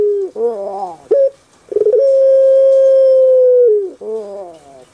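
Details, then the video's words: Kept puter pelung dove from Java, Indonesia: a wavering rolled coo, a short sharp note, then a drawn-out level hoot of about two seconds ending in a downward slide into another rough roll. "PUTER PELUNG SUARA EMPUK RASANYA PAS DI HATI"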